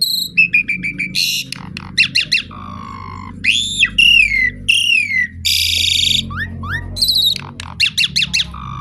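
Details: Asian pied starling song said to call the rain, in varied phrases of clear whistles, quick repeated chips, downward slurs and harsh buzzy bursts, over a low steady background hum.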